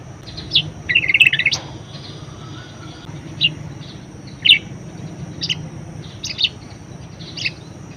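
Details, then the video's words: Budgerigar in full song, used as a training master for other songbirds; opens with a short buzzy warble, followed by isolated high chirps spaced about a second apart, low hum underneath. "BURUNG PARKIT PALING GACOR_SUARA MEWAH_COCOK BUAT PANCINGAN & MASTERAN"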